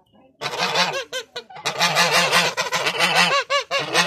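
Geese honk loudly and harshly in rapid, overlapping bursts, several birds calling at once with brief pauses between volleys.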